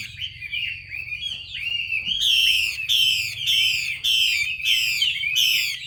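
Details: Chinese hwamei female calling to spur a male to sing; soft slurred warbling notes first, then a run of loud harsh downward-sweeping rasps about twice a second.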